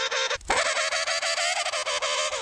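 A King penguin gives a loud, brassy, trumpeting call that pulses rapidly. It breaks briefly near the start, then carries on at a steady pitch with a buzzy, warbling quality.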